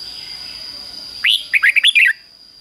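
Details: Red-whiskered Bulbul 'double' style song, fik-jik-fok, used to teach young birds: a rising opening whistle, a short gap, then five quick lilting notes, backed by a continuous high-pitched whine.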